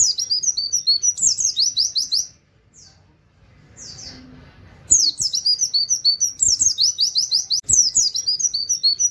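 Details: White-eye singing in quick bursts with a canary-like wit-wit rhythm: dense, very high, slurred notes pour out in rapid trains, a short quiet gap with a couple of isolated notes, then the fast volley returns.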